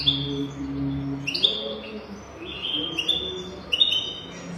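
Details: Quiet European goldfinch song for tutoring young birds: sustained high whistled notes and short twittered phrases over a faint low hum.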